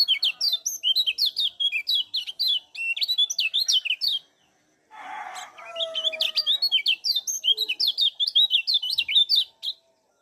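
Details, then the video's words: Kecial kuning, the Lombok lemon-bellied white-eye, in lively 'gacor ngejos' song used as a lure to excite other birds: dense runs of sharp, high twittering notes, broken by a short gap and a faint lower whistle. "SUARA ALAM CIAK KECIAL KUNING GACOR NGEJOS || PANCINGAN TERBAIK BIKIN KECIAL CEPAT JOS"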